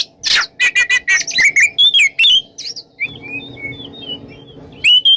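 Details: Oriental magpie-robin singing in the morning in the ngeplong style, used to prompt silent magpie-robins: a rapid run of sharp chirps, then slurred whistled notes sliding between high and middle pitch, ending in fainter scattered whistles over a low hum.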